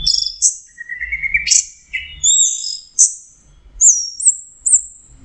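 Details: Orange-headed thrush in full 'teler' song: a quick string of varied high whistles, some sliding upward and others dropping, with brief sharp notes between phrases and faint low rumble underneath.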